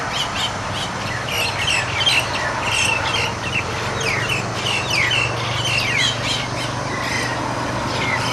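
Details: Nias starlings (jalak nias) fighting one another in a group: a dense, overlapping mix of short chirps and quick downslurred whistles throughout, over steady low background hum.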